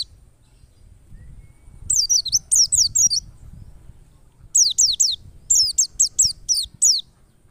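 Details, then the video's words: A forest white-eye from the wild sings as a lure to prompt others to sing. Two groups of high, fast, downslurred twittering notes come about a second apart, over a soft low rumble. "PLECI NGALAS power super mantap PAS banget buat PANCINGAN PLECI agar buka paruh"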